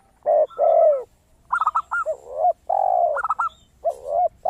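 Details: Zebra dove in full song, its crystal-clear voice used as a lure to get other doves singing: high, quick stuttering coo notes alternate with deeper, longer rising coos from a spotted dove, in repeated phrases.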